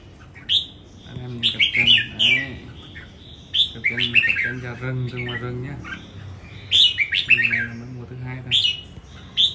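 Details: Caged red-whiskered bulbul in a singing competition in Đồng Nai, Vietnam: repeated quick bright warbles over people talking in the background throughout.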